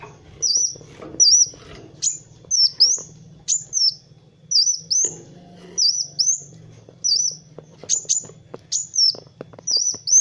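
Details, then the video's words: Van Hasselt's sunbird (kolibri wulung) singing persistently as a training master: clear high whistled phrases with quick downward flicks, repeated at a brisk even pace across ten seconds, faint background clicks and hum. "SUARA BURUNG MASTERAN Kowul (Kolibri Wulung) GACOR"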